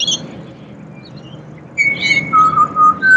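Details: Singing pied butcherbird in Australia, after a quiet stretch a long pure whistle followed by a lower held note and a rising final tone; high chirps of other birds early on.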